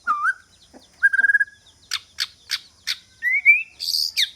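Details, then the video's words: Decoy white-rumped shama song used to draw in rival birds: clear whistled notes, a quick trill, a series of sharp clicking chips, then rising whistles ending in a high, buzzy flourish. "Choè lửa mồi chiến shama bird"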